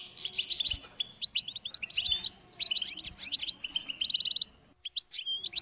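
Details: European goldfinch delivering quick, bright twitters and short buzzy notes in rapid succession, briefly pausing near the end before resuming.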